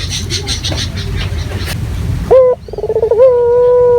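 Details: Dove calling as a lure for other doves: after two seconds of muffled noise, a sharp note opens a fast rolling trill that settles into a long steady coo.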